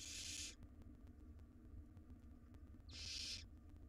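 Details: Hungry wild barn owl chicks in a nest box receive a jird from their mother, giving two broad, breathy hissing screeches roughly two and a half seconds apart, with a low steady hum beneath.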